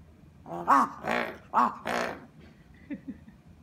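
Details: Crow in Japan that has befriended a person: four rough, throaty caws in quick succession, the second and fourth longer and fuller, followed by two faint soft clicks.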